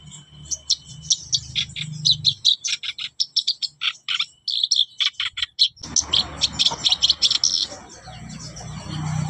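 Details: Kept black-browed reed warbler singing steadily, a quick sequence of grating chips and thin whistles. Louder broadband background noise sets in during the second half.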